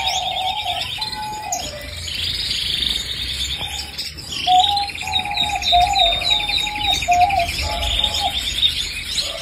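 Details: Canary song: long rolling trills at mid-high pitch alternate with lower, flat whistled notes repeated in short bursts, plus some faint higher chirps.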